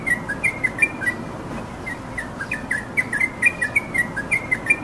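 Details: Wild yellow-vented bulbul: a run of short, bright chirped notes at a fairly steady pitch, given several times a second in loose bursts, over a constant hiss of background noise.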